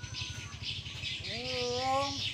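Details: Indonesian common hill myna talking back, imitating human speech: a voice-like tone with stacked harmonics that rises, then holds level before stopping, over a steady background hiss and low hum.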